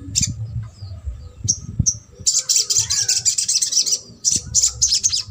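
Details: Sogok ontong trotol song for prompting a silent bird to sing: a few sparse high ticks and short whistled slurs, then a fast, rattling run of piercing chirps, a short gap, and more chattering.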